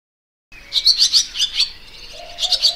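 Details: Barn swallow singing: after half a second of silence, a quick run of sharp, high twittering chirps, then a brief pause and a second short burst of chirps, with a faint steady low tone underneath.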